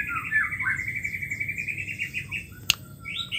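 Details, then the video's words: Female white-rumped shama, whose voice is meant to stir mute males into singing again. A long, steady, level whistle with slight wavering, then a short break, a sharp click and a fresh whistled note at the end. "suara betina murai batu ampuh untuk memancing murai stres,macet bunyi"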